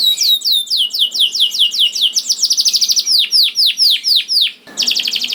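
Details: Energetic canary song used to prompt hesitant canaries to sing: rhythmic descending sweeps flowing into a very rapid high trill, then slower, deeper downward slurs, a brief pause and a renewed quick trill.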